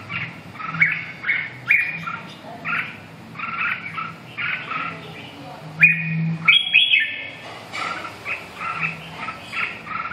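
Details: Red-whiskered bulbul giving short, bright chirped phrases that repeat about every second, with a few sharper squeaky notes near the middle, over a steady low hum.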